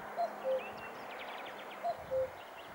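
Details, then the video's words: Common cuckoo recorded in Sofia, Bulgaria, on 1 May 2020: two clear two-note calls, a higher hooted note dropping to a lower one, repeated about 1.7 seconds apart, over faint chirping of other small birds and low background hum. "Обикновена кукувица (Cuculus canorus)"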